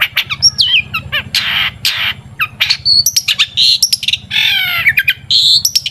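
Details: Long-tailed shrike in varied song, used as a lure to make shrikes sing: mixed whistled slurs, quick trills, buzzy rasps and squeaky notes in a rapid medley, with a low continuous hum behind.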